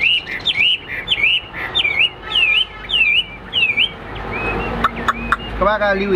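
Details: Caged Hwamei singing in a fighting display: a run of about eight loud whistled, down-and-up slurred notes repeated quickly over four seconds, followed by scattered clicks and shorter notes.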